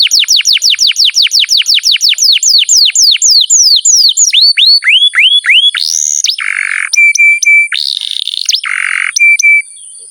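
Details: Canary singing a long, continuous masteran tutor song meant to coax quiet young birds into singing: a fast run of repeated high downward-sweeping whistles that slows into looping notes, then buzzy rolls alternating with flat pure tones and clicks.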